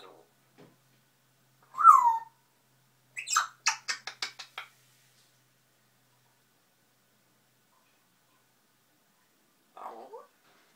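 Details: Grey parrot kept as a pet, babbling to itself: a loud falling whistled note, then a quick rattling series of clicking notes, a long silence and a low soft mutter at the end.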